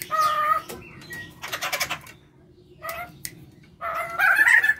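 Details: Pair of white-crested laughingthrushes, male and female, used as a lure at home: clear harmonic whistles and a noisy chatter burst, short whistled notes, then loud warbling cackle at the end.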